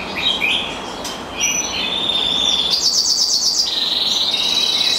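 A black siskin mule sings a fast, twittering song of high, bright notes, with a run of rapid buzzy trills and thin sustained whistles.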